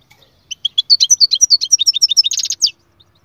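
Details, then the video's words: Continuous goldfinch twittering: about twenty quick, high, bouncing notes in a row, speeding up and ending in a few harsher buzzy calls. "أقوى تغريد مقنين"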